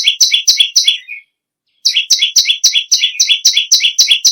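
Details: Energetic song of a bar-winged prinia (perenjak lumut): a short run of piercing high chirps ending in a lower note, a half-second gap, then a longer fast, even series of paired chirps.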